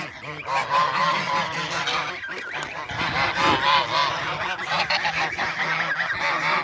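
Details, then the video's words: Flock of domestic geese calling noisily, a continuous loud mass of overlapping brassy honks and cackles with no pause throughout. "Vários Gansos fazendo barulho, esses sabem fazer barulho."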